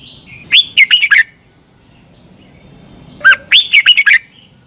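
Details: Red-whiskered bulbul from Thailand giving its training song: two crisp phrases of lilting, up-and-down whistles, the second opening with a sharper downslurred note.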